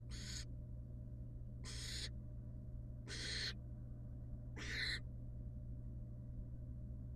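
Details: Wild barn owl at a monitored nest box, returning to her young after regurgitating a pellet: four harsh, breathy hissing screeches about half a second each, spaced one to one and a half seconds apart, over a steady low electrical hum.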